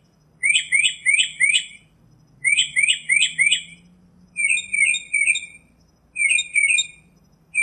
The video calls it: Birds Singing - Northern Mockingbird